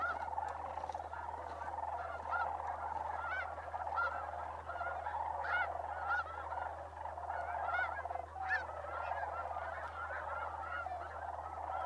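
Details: December migration at Bosque del Apache Wildlife Refuge, New Mexico: a large gathering of sandhill cranes keeps up a loud, continuous chorus, with many separate arching calls standing out throughout the steady background din.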